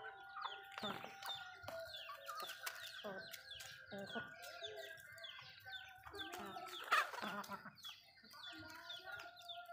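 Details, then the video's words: Backyard chickens eating food: soft, scattered clucks and short calls over quick pecking clicks, with a steady faint tonal hum underneath and a louder burst of clucking just before the seventh second. "Backyard Chicken home Chicken malayo asmr nice but nonuse sound eating food"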